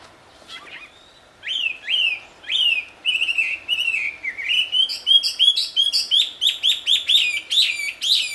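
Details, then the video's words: Wambi singing in the wild, loud and melodious: after a quiet start, clear whistled notes swoop downward, then speed up into a rapid, bright series of sharp rising-falling whistles repeated about every half second. "Suara merdu burung wambi di alam liar ternyata sangat merdu dan keras"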